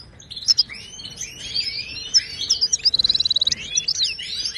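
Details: Moroccan wild goldfinch singing, used to train caged birds to sing: rolling slurred twitters, then a rapid burst of around ten even clipped notes, followed by more chattering phrases.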